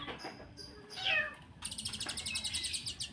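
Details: Mountain white-eye singing a varied song with fill-in phrases: a faint opening, a loud sharp descending note, then a fast run of high, bright chirps repeated about ten times a second until the end.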